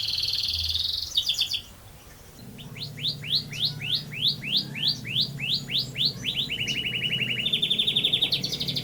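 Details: Canary giving a long rolling song: high trilled notes, then a series of quick rising sweeps repeated several times a second, ending in fast buzzy rolls, over steady low background hum.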